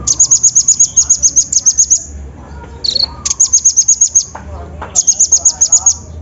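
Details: Lure recording of an olive-backed sunbird meant to provoke a reluctant bird to sing. Long runs of fast, needle-thin repeated chips are broken by a brief lower buzzy note and scattered softer chirps in the background.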